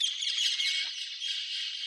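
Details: In April, near a magpie nest being built, several parakeets shriek. Their harsh, grating, high-pitched calls run together in a dense stream with little pause.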